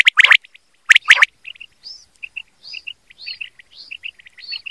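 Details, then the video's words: Quail call recording for hunting: two loud stacked note clusters, then a steady series of soft paired chirps and short arching whistles, repeated roughly once a second. "BATAIR KI AWAZ || QUAIL CALLING"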